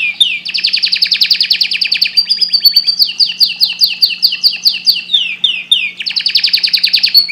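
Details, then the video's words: Canary in full song: loud, fast tours of high trilled notes, each run of rapid repeated syllables changing to another, with sweeping slurred phrases, and a steady low hum beneath. "Canary bird singing"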